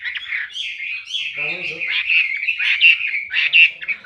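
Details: Singing male Chinese Hwamei, a caged songbird bred in Indonesia for song competitions, holds a sustained, slightly harsh warbling phrase with repeated bright whistled peaks and a brief lower murmur partway through.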